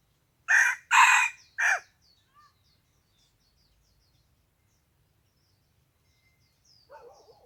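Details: Wild chicken crowing in the morning on 27 February 2020: a loud harsh crow in three bursts, two long and a short falling one, then near silence with a few faint chirps and a soft rustle at the end.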